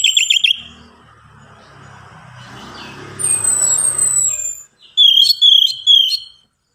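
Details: Orange-headed thrush song offered as a lure for birds that are hard to get singing: a quick trilled phrase, then a rumbling background noise with high falling whistles, ending in bright, bouncing whistled notes.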